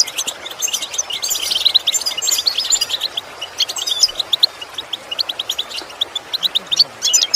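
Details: European goldfinch singing for imitation training: a rich burst of tinkling, jangling chirps first, then a steady series of short, evenly spaced high notes toward the end.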